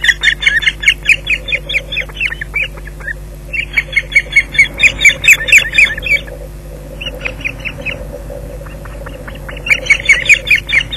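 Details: Osprey delivering another fish to the nest at Loch Garten, evening of 19 June 2011. Bursts of high, piercing chirped calls come in quick runs, broken by quieter pauses, with a constant low hum underneath.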